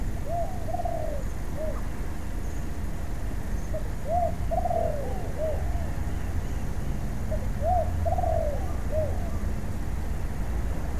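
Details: Wild-caught spotted dove being trained as a ground decoy, giving soft, rolling coos in short groups, some with a quick upward lilt, over a steady low rumble of background noise.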